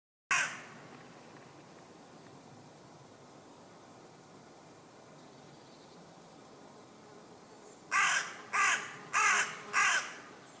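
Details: Common raven croaking from a tree in woodland in West Sussex, England: one harsh call at the start, then a quiet gap before four loud, hoarse croaks spaced about half a second apart.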